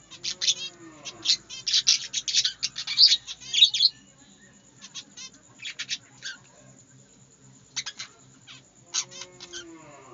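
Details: Budgerigars singing in a small aviary. Busy, scratchy high warbling with fast chirps and squeaks for the first four seconds, a softer patchy stretch, then another burst of chatter.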